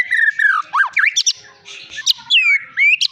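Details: Long-tailed Medan white-rumped shama, a prized contest-winning caged songbird, sings a varied run of loud slurred whistles, falling glides and sharp upswept notes with brief pauses between phrases.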